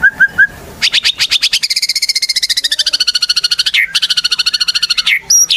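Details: White-rumped shama singing as a lure to provoke other birds into song: a few short whistles, then a long fast trill of evenly spaced pulsed notes with a steady lower tone, ending in sharp high whistled notes.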